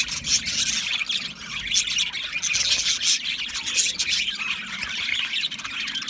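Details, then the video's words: Budgerigars, Australian budgie parakeets, in a dense chorus of high, scratchy chirps and short warbles that run continuously through the clip with no pauses, several birds calling over one another. "Budgie parrot chirping sounds"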